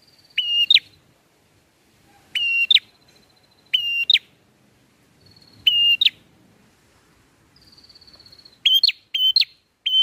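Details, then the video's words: Bar-winged prinia song in the ngalun style, used as a lure for catching birds: loud, clipped buzzy bursts with a bright ringing overtone, repeated every one to two seconds, joined by thin, long, high whistled notes; quiet, clean background. "PRENJAK NGALUN AHLI BUAT MIKAT"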